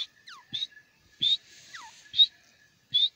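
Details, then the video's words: Francolin, known locally as teetar, giving short harsh bursts that rise slightly, repeated about every second, with brief downward-sliding whistled notes between them and a quiet background. "best partridge sound . teetar ki awaz. francolins voice"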